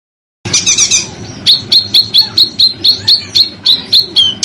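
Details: Bird on a masteran training track for contest songbirds, billed as dense, harsh screaming: a brief jumbled chatter, then a steady run of short, sharp, high notes repeated about three times a second over a low background hum.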